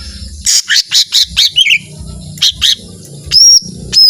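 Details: Lesser green leafbird singing intensely: a rapid series of harsh buzzy chattering notes, a brief pause, more scratchy bursts, then clear high whistled notes typical of its long 'tembakan' phrases, over a faint background hum.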